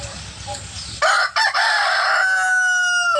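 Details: A hen gives a loud, harsh call: a short burst, a brief pause, then a long drawn-out note of nearly two seconds, after a moment of faint background hum.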